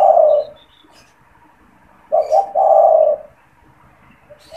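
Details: Spotted dove kept caged as a decoy caller for trapping wild doves; a long coo ends, a pause, then two quick low notes and a drawn-out hoarse coo, faint bird chirps behind.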